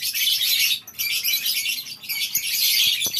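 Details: Lovebirds kept together in a colony aviary on a farm, heard in the morning as a steady wall of shrill, high chirping from many birds, with one short lull near the start.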